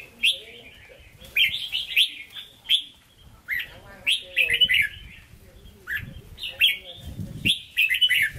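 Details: Captive red-whiskered bulbul from Vietnam singing in the Hue style, bright slurred warbling phrases in short bursts about every second or so, each a quick run of clear whistled notes, with soft low rustling between phrases.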